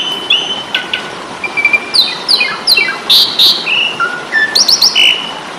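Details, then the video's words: Fighting song of the Asian pied starling, recorded to train songbirds: descending rattled sweeps, level whistles and loud broadband bursts in quick sequence, over background hiss. "Masteran jalak suren ,pasti tarung"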